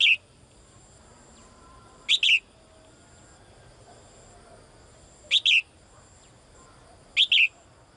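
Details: Female bird calling for the male: a clipped chirp at the start, then three crisp double chirps spaced two to three seconds apart, over faint steady hiss.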